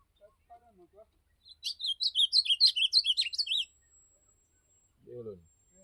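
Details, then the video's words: An ultramarine grosbeak delivers a campeada phrase, about two seconds of fast, bright, zigzagging whistled notes, set between quiet stretches with a few faint low sounds before and a voice afterward. "Campeada de Azulão"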